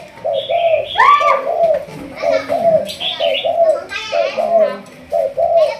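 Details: Spotted dove from Malaysia, a 'thúc gù' line bird being trained as a decoy, gives a string of short, mid-pitched coos, while higher chirps and voice-like sounds cut in near the start and middle.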